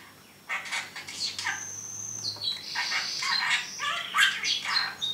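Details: Pet parrot talking in its cage, a male bird: after a quiet start, a run of bright broken chatter and whistles, with one long steady high whistle held through the middle and quick rising and falling notes at the end.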